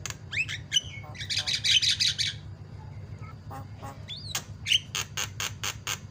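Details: Javan myna in full, lively song, played to make mynas chatter: rising whistles, a dense scratchy burst, later a sliding whistle and a quick run of harsh chack notes, with a constant low hum behind.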